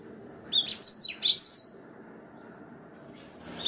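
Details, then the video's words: Black-throated canary giving clear 'gacor' song used to tutor canaries: a one-second burst of high, rapid slurred whistles and sharp chirps, then near silence with one faint thin note, before another high phrase starts at the end. "BLACKTHROAT GACOR SUARA JERNIH COCOK UNTUK MASTERAN KENARI"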